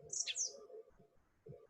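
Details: A Common Blackbird in the dawn chorus gives a brief, high, squeaky twittering flourish, the scratchy ending to its deeper, flute-like song phrase, over a faint low hum.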